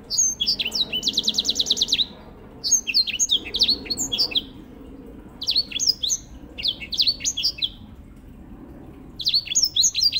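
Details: Grey singing finch (white-rumped seedeater) singing as master bird for canaries; a fast high trill followed by repeated short bursts of twittering slurred notes with brief pauses.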